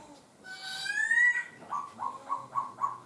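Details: Laughingthrush switching its voice while singing: a long harmonic rising slurred whistle, then five short, evenly spaced chopped notes repeated about every quarter second.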